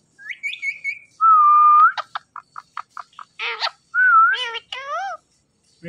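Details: A green Indian ringneck parakeet talks, opening with a high whistle and a steady flat whistle, then tapping clicks and rising and falling harmonic syllables like spoken words.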